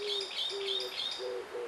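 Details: Oriental turtle dove, a resident breeding in early spring, in Korea, giving low, steady cooing notes about every half second, with bright high twittering from smaller birds over the top.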